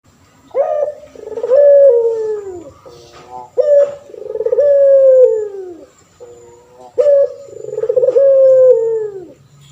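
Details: Male puter pelung turtle dove in full voice, used for training other birds: long drawn coos that begin with a sharp note, then glide slowly downward, with short softer notes between, repeated about every three seconds.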